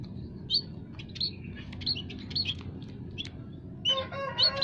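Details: Lure recording of aviary munias (white-headed, scaly-breasted, Javan) meant to draw wild birds for trapping: sharp, bright high chirps repeated about every half second, ending in a burst of denser calling.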